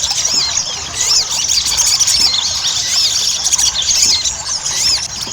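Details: Ruby-cheeked sunbird song used as a lure to get sunbirds singing quickly and actively: a dense, continuous stream of high, thin squeaky chirps and twitters, overlapping rapidly throughout with no pauses.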